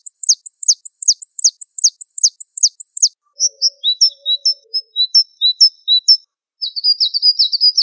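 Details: Java sparrow song in a mastering recording: quick high descending notes in pairs, then spaced two-tone chirps, and a final buzzy trill, with a faint low sound in the background.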